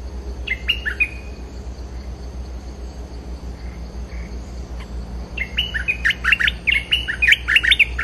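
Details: Bulbul lure call used to attract wild birds: a short burst of bright, bubbly whistled notes early on, then a quiet gap, followed by a busier run of rapid chirping phrases toward the end, over a steady low hum.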